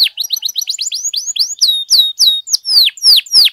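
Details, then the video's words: Canary singing to provoke song from other canaries: a fast series of short rising chirps speeding into loud drawn-out falling whistles, repeated about three times a second. "PANCINGAN KENARI GACOR DOR, PUTAR SEBENTAR AMPUH NAIKKAN EMOSI KENARI LANGSUNG GACOR"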